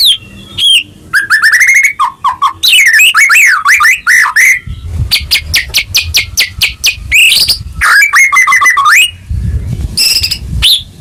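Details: White-rumped shama singing in long 'gacor' bursts to rouse a caged bird that has stopped singing. Swooping whistles, low fluty notes and a steady run of evenly spaced high chips lead into more warbled phrases.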